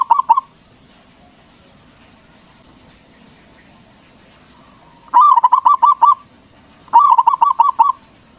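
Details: Local zebra dove with a big voice sings to provoke rival doves into answering. A brief opening phrase is followed by two later bursts of rapid, throaty cooing notes, each burst about a second long, over faint background hum.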